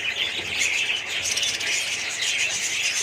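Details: Budgerigar colony with dense high twittering, several short clear whistled notes standing out above a steady background of many chattering birds.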